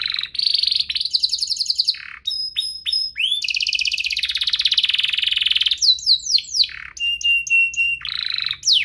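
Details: Canary song used to stimulate canaries into song: long loud rolling trills and buzzy rattles, a few clear whistled tones, then quick swooping notes and another trill.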